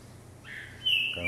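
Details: Caged green-winged saltator (trinca-ferro) on a hopping perch, trained for vigor; a soft whistle, then a louder sharp whistled note near the end.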